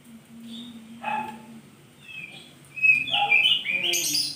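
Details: Morning song of an oriental magpie-robin: a short harsh note, then a run of bright, high whistles with quick pitch jumps, ending in a loud cluster of sharp, very high chirps.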